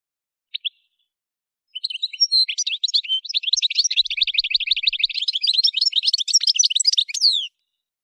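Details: Recorded at Kef El Hamam, Souk Ahras, Algeria, an Algerian goldfinch gives two short call notes, then a long, fast, unbroken twittering song of crisp repeated chirps, finishing with a falling slur.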